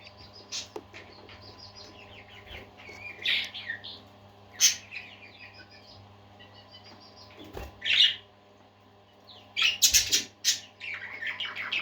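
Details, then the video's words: Many budgerigars in lively song: dense high twittering, chattering warbles and sharp clicks in uneven bursts, louder near eight and ten seconds, with a faint low hum underneath. "Happy Parakeets Singing"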